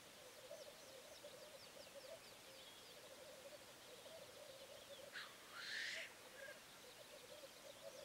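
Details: Black grouse delivering a steady low bubbling coo throughout, interrupted by one loud rushing hiss near the end, with high arched calls from other birds in the background.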